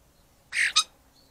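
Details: Common starling singing in a garden in December 2020: a single harsh, broadband squawking burst, then a shorter grating note, with quiet surroundings.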